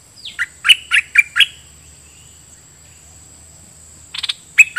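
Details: Red-whiskered bulbul decoy bird calling toward wild birds: a few loud, bright, slurred notes close together, a silent gap of about three seconds, then a short burst of chirps.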